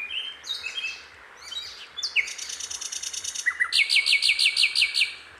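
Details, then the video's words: Sikatan londo flycatcher singing in the wild: scratchy high twitters open into a long rapid buzzy trill, then a brief falling slur and a steady series of sharp bright chirps. "𝗕𝘂𝗿𝘂𝗻𝗴 𝗦𝗶𝗸𝗮𝘁𝗮𝗻 𝗟𝗼𝗻𝗱𝗼 𝗞𝗶𝗰𝗮𝘂 𝗔𝗹𝗮𝗺 𝗟𝗶𝗮𝗿"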